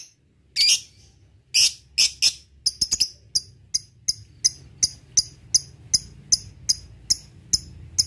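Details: Lovebird ticking, the ngetik that precedes ngekek, used as a lure for rivals: a few harsh high calls, then a long run of short crisp high ticks repeated roughly every third of a second.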